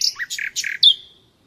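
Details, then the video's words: Brief nightingale song fragment from a song lesson for captive birds: a few harsh, clipped notes, then one sharp bright whistle that trails away. "Bülbül Sesi - Kesintisiz Ötüm Dersi ve Huylandırma -(Bulbul Song - Real Traning my record)"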